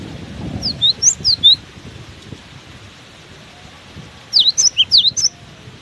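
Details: Cinereous tit singing while buffeted by strong wind: two rapid bursts of high, thin, sliding whistles roughly three seconds apart, with low wind noise between.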